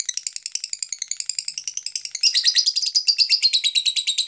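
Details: Lovebird song used as a lure for other lovebirds to sing actively; quick, scratchy high pulses for two seconds, then a sudden louder, denser burst of grating chatter.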